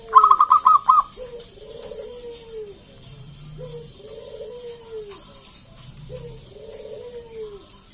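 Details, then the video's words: Singing Zebra dove of local stock, meant to lure other doves to respond: opens with a fast stuttering trill, followed by three evenly spaced descending coos, with a faint low humming note beneath. "PERKUTUT GACOR SUARA PALING AMPUH UNTUK PANCINGAN BUNYI BURUNG PERKUTUT AGAR NYAUT GACOR"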